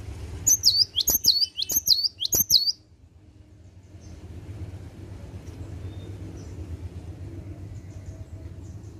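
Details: Morning song of a cinereous tit: four loud, high, ringing two-note phrases with sharp clicks between, delivered rapidly, then several seconds of low background hum with faint distant chirps.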